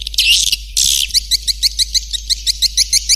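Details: Swiftlet lure call to attract birds: two harsh buzzy bursts, then a quick series of sharp high chirps about four per second over a steady low hum.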